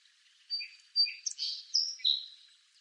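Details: {'caption': 'Song sparrow in eastern North America: a short, close song opening with two clear high notes and running into rapid buzzy, slurred phrases.'}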